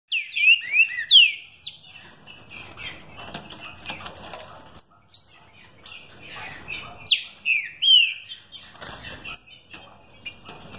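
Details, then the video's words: Green-winged saltator, a captive bird from a São Paulo breeder, singing in the fibra style with speed: short, loud, slurred whistles dropping and rising, given in quick bursts with gaps filled by clicking, rustling noises. "Trinca ferro mutação fibra e velocidade."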